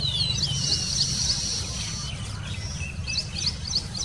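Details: Baya weaver in Pune, Maharashtra, India, giving high, dry chirps and sizzling buzzy notes, repeated rapidly several times a second, over a steady low rumble of background noise.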